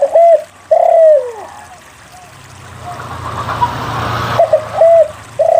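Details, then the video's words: Spotted dove lure song for prompting lazy doves to sing. It opens with a short coo and a long descending coo, then a rumbling passage of low noise. The stuttering coo phrases resume at the end. "SUARA PANCINGAN DERKUKU GACOR UNTUK MALAS BUNYI"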